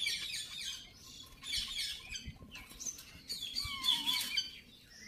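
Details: Baby ringneck parakeets giving bursts of high, raspy squawks and chirps in uneven clusters, with a short rising whistle between them.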